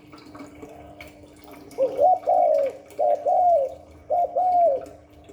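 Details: Spotted dove in the Hạp Bổi style of calling and gù coos: three two-part phrases about a second apart, each a brief hoot then a long wavering coo, over a low steady hum.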